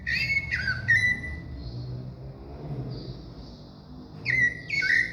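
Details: Thrush singing a few loud, pure whistled notes, some dropping in pitch, then a near-silent gap before two more bright whistles close the phrase; soft low background noise.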